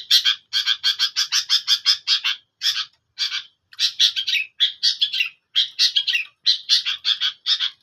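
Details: Long-tailed shrike singing: a steady stream of harsh, rasping chatter notes given rapidly in uneven bursts, with short gaps between runs and no other sounds.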